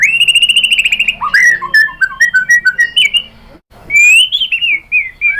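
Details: White-rumped shama singing as a lure to draw out song: a long fast trill, then clipped falling whistles and chirps, a brief pause, then rich rising and falling whistled phrases.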